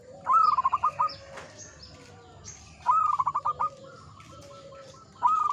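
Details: Local zebra dove in steady song, ngepat Mataram rhythm style: three phrases of fast, stuttering coo notes that run into a trailing tone, with faint high chirps from other birds in the background.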